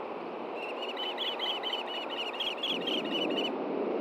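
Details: Osprey at a Hellgate Canyon nest, Montana, 9 AM on June 6, 2014, as a fish is passed from male to female. One continuous three-second run of rapid, shrill, slightly rising whistled chirps over steady hiss.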